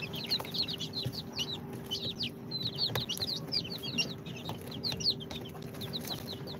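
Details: Baby chicks of Sultan, Golden Sebright, Cochin and booted breeds, hatched in an incubator and two days old, keeping up a lively chorus of high, quick, downward-bending peeps against a low electrical hum.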